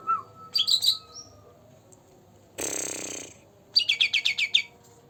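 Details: Green leafbird aged two months singing to prompt rarely singing birds: a short whistle, high squeaky chirps, a loud broad hiss, then a rapid run of about seven descending trilled notes.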